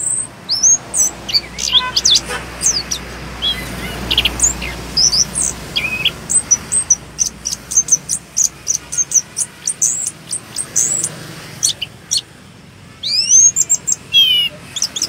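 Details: Anis kembang, the orange-headed thrush, in continuous rolling song: quick strings of high sweeping whistles, clicks and scratchy notes, a short lull near the middle before fast rising slurred phrases resume.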